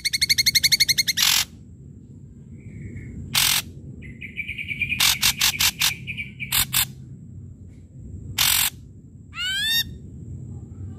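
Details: Ashy drongo singing loudly, used as a lure to get quiet drongos calling: a fast rattling trill, then harsh broadband bursts, a thin buzzy note, quick clustered chatter and a final set of rising slurred whistles.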